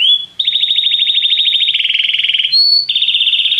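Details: Canary delivering a long fast bubbling trill, a brief clear whistled note, then resuming the rapid buzzy roll.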